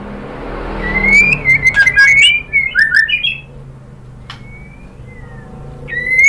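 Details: A female white-rumped shama calls to a male. A rising whistle leads into two seconds of fast, slurred and warbled whistles in bouncing phrases, followed by quiet with a few thin, drawn-out whistles and a final upward whistle.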